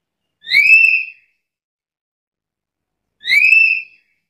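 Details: Black-capped lory kept as a caged bird: two loud, clear whistles, each swelling and holding steady for about three quarters of a second, rich in overtones, spaced nearly three seconds apart in a quiet setting.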